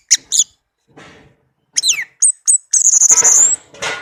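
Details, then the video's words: Orange-headed thrush, a tame pet bird whose song is meant to spur quiet birds to sing, giving scattered high squeaky notes, then a rapid, very high trill of about four notes per second that rises at the end. "Anis merah kicau merdu, teler abis"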